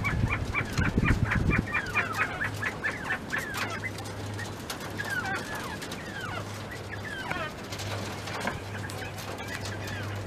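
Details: Mountain quail in a pen being fed treats; rapid chirping notes for about four seconds amid scratching and rustling, then scattered softer calls and a persistent low hum.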